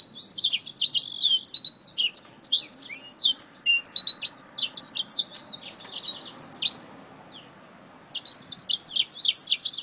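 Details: Black-throated finch attacking a finger: rapid, high, squeaky chirps and twittering notes in busy bursts, a quieter stretch near the end, then chirping resumes.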